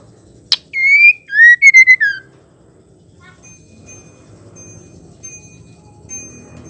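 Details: Female white-rumped shama in captivity, its call meant to rouse males: one click, then a short run of pure whistled notes dropping in pitch, followed by quiet background noise.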